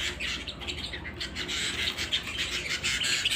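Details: Canary at home chirping rapidly: a dense run of high, slightly harsh tweets and trills over a low rumbling hum.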